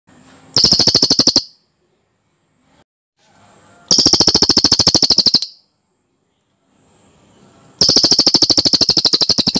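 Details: Cililin song, clear and dense, made as a master recording for training komba birds: three rapid rolls of sharp, evenly spaced pulsed notes, each about one to one and a half seconds long, separated by quiet gaps with faint background hiss.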